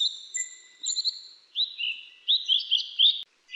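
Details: A grey-chinned minivet (Pericrocotus solaris) in jungle gives thin, high whistles, then a quick run of short upslurred notes, about four per second, in a quiet background.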